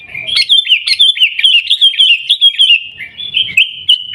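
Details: Continuous bubbling, looping whistles from a sooty-headed bulbul in Gaya Garuda style, recorded at Busu Reului in Pidie, Aceh; fast wavering notes run almost without a break.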